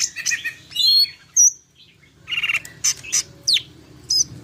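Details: Greater green leafbird from Medan giving pure high whistles, a rattling buzz and sharp chips amid a low humming background.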